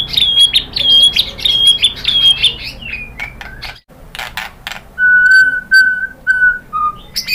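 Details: White-rumped shama song as a lure for answering birds: a quick series of repeated high chirps, then after a brief gap several steady flat whistles that drop slightly in pitch.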